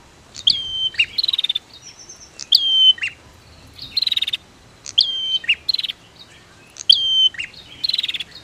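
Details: Female versus male prinia duet: repeated phrases of sharp high chirps, each followed by a buzzy rattling trill, coming roughly every one to two seconds, quiet rural background.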